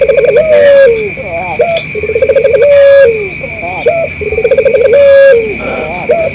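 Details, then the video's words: Collared dove, local puter, calling persistently as a lure for other doves to respond. Three complete phrases, each a trembling series of quick notes swelling into a long falling coo, followed by short wavering notes. Repeats about every two seconds over a steady electronic tone. "suara burung puter lokal gacor puter lain dijamin ikut nyaut dan bunyi"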